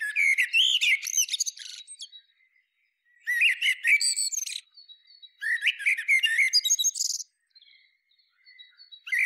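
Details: Three strophes from a Common Blackbird (Turdus merula), each a flowing whistled warble capped by high, creaky twittering, separated by short pauses with thin faint notes.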